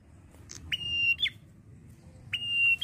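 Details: Male red-headed prinia in steady song: two prolonged level whistles, each about half a second, each cut off by a brisk falling flick, over a continuous low hum.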